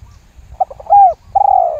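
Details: Spotted dove lure call to make other doves join in: soft stuttering notes, a loud arched coo, then a long steady purring coo, over faint low background rumble.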